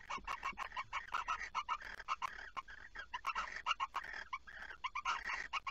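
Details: Barn owl at night, 23:36 on 5 August 2019 in Friesland, gives rapid, harsh chittering and twittering notes, several bursts each second, continuously during prey transfer and mating.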